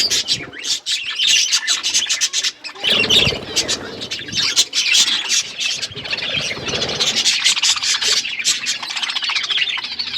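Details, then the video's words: Pet budgies eating and chirping: a flock's constant high warbling chatter with quick squeaky notes, occasional louder squawks and soft flutter or rustle. "Beautiful budgies parakeet eating food birds chirping sounds"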